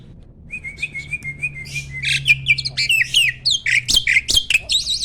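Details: Caged mature male Asian pied starling, ready to mate, gives a repeated thin whistled note that swells into dense harsh chatter and buzzy squeaks, over a low steady hum in the background.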